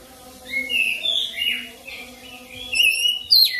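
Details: Oriental magpie-robin lure song for rolling singing: a few slurred, moderately loud whistled notes, then sharp high chips and a rising flourish near the end, with a steady low hum in the background.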